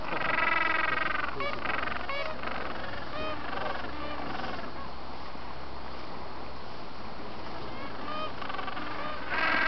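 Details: Mating gentoo penguins in Antarctica, 13 November 2014, give harsh, honking brays in quick overlapping bursts, several birds calling at once over a steady low rumble of wind.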